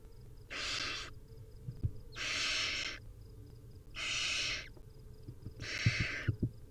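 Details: Wild barn owl nestlings begging at feeding time: long rasping, hissing screeches, each about half a second, repeated roughly every one and a half seconds, with soft low thumps and shuffling between calls.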